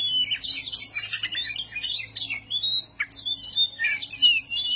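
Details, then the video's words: Oriental magpie-robin performing ngobra, agitated display singing to provoke rival birds; dense jumble of high whistles, slurred notes and harsh scratchy bursts delivered without pause, faint low hum in the background. "kacer anda ikut ngobra"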